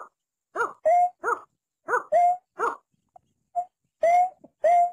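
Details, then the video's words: Watercock, a long-billed bird of rice fields and swamps: deep, hollow, harmonic double-pulsed notes alternate with smooth whistled notes that rise and then level off, in a loose series of about ten sounds with short silent gaps and no background noise. "Mp3 Ayam Ayaman Sawah"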